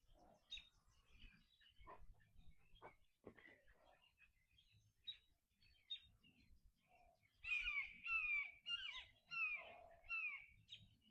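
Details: Young Red-shouldered Hawks near a horse farm give five loud, slurred, downward kee-ah calls, about one per second, after a stretch of rustling and faint voices.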